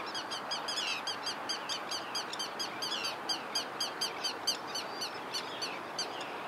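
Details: Forster's tern recorded on 12 May 2011: rapid series of short high chattering notes repeated several times a second, many birds possibly calling together, over steady broadband background noise.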